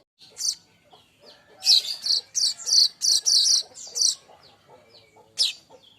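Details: Young streaked weaver (manyar kembang) singing steadily, recorded as tutor song for training cage birds: bursts of sharp, high chattering notes, some clustered in quick runs, separated by brief quiet gaps.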